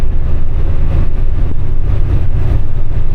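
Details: Steady low engine rumble from passing road traffic fills the recording, with no animal calls heard.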